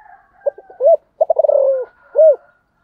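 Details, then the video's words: Spotted dove giving one full coo phrase: soft clipped opening notes and a hooked coo, then a fast rattling purr that drops in pitch, ending on a single clear, rounded coo. "cu gáy"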